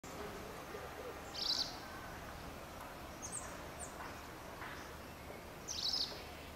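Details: Spectacled weaver (Ploceus ocularis) in Gisenyi, Rwanda, March 2013, gives two brief, sharp high-pitched calls about four seconds apart, with a few faint chips between them over a steady background hiss.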